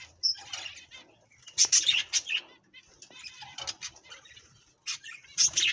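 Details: Budgerigars eating green food give bursts of scratchy, high chirping chatter, with some wing fluttering.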